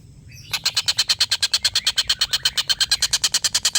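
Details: Collared kingfisher (tengkek buto) long laughing call for tutoring competition birds: after a short pause, a rapid, steady volley of loud, raspy kek notes lasting over three seconds.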